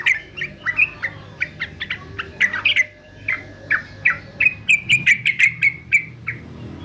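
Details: Fighter male yellow-vented bulbul for singing training gives separate clear chirps and short slurred whistles, spaced unevenly, speeding into a quicker chattering series near the end.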